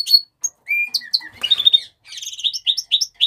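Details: House finch song in a quick warbled series of short chirped and slurred notes, some falling and some rising, with a brief buzzy burst midway and rapid high notes toward the end.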